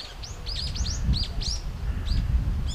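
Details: Brown-eared bulbuls feeding on nectar in a flowering cherry tree in Japan call loudly. Bright arched squeals tumble out in rapid overlapping pairs, then briefer single notes follow. There is a low rumbling background.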